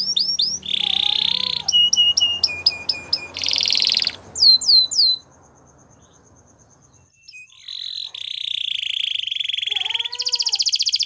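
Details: Gloster canary training song: buzzing rolls alternate with sharp clipped notes and falling whistled slurs, then a brief pause before a steady high hum and renewed rapid buzzy trills.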